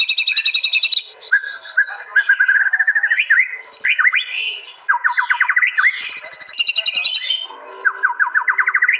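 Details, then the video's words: White-rumped shama, murai batu, of East Java, phone-recorded for a master training track: high rattles alternate with rapid series of rising whistled notes, sharp flicks and short pauses, all in quick, fierce succession. "Tembakan murai batu paling Ganas di gantangan bikin lawan ciut nyali"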